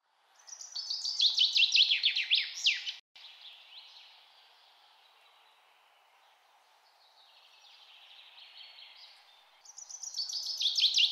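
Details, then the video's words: Red-necked Tanager (Tangara cyanocephala), a fruit- and insect-eating bird of eastern South America, giving thin, high, rapid chips and short twittering series, loud in bursts then fading, over a low background hum. "Red-necked Tanager | Tangara cyanocephala"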